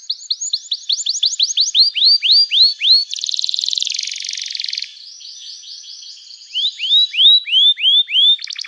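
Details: Canary in energetic, lively song, meant to make other canaries answer and sing: rapid series of bright downslurred whistles, a fast buzzy trill in the middle, then more ringing descending notes.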